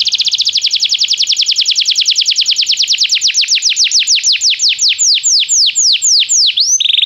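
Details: Belgian canary under song training delivers a long rapid trill that gradually slows into distinct downslurred whistles, ending with a brief dense buzzy roll.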